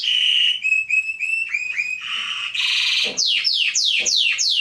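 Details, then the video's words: Canary singing, used for training young birds: a varied run of pure whistled notes, then a buzzy rolling trill and fast descending sweeping notes repeated about three per second. "CANARY SINGING - Serinus canaria | كناري | canarios"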